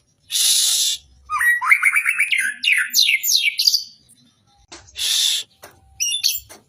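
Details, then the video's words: Caged magpie-robin singing at a songbird contest: a long, lively ('gacor') song of rapid ascending trilled phrases and sweeping whistles, with two short bursts of broadband hiss between phrases. "Burung MURAI GACOR bocor materi di gantangan durasi PANJANG"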